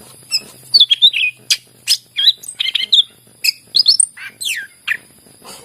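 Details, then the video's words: Lively greater green leafbird singing as a lure for birds reluctant to sing: varied chirps, sharp ticks and swooping downward whistles in quick succession, some notes doubled, over a soft constant high whine. "cucak ijo gacor masteran yang terampuh buat pancingan burung yang lagi susah bunyi"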